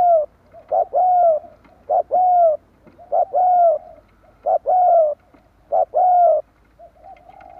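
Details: Spotted dove call used as a lure to draw in wild doves: loud, clear coos in paired phrases, a short rising note followed by a longer steady one, repeated about every second and a quarter.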